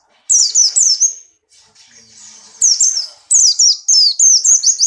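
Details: Excited breeding-condition Buxtoni white-eye singing in rapid bursts: bright, piercing notes that fall in pitch, a short phrase, a brief softer twitter, then a longer run of quick repeated slurs.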